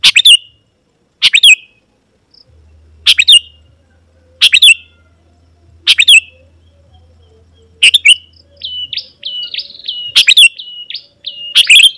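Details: Sooty-headed bulbul singing lively to challenge and draw in wild bulbuls: loud, bubbly chirp bursts repeated roughly every one and a half seconds, later mixed with thin, rapid whistled notes, over a faint low hum.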